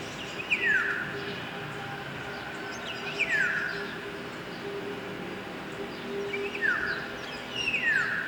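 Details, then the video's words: Philippine oriole, known locally as Antulihaw, singing in the heart of a Philippine city: four ringing downslurred whistles, the first pair about three seconds apart, each trailing into a softer tail, against a steady hum of city noise. "rare Philippine Oriole Singing"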